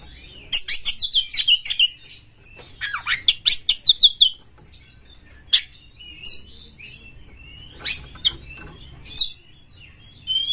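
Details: Kacer, an aggressive magpie-robin used to spur other birds into song, delivers a rapid run of sharp chirps for about four seconds, then scattered single notes and thin drawn-out whistles over a low background hum.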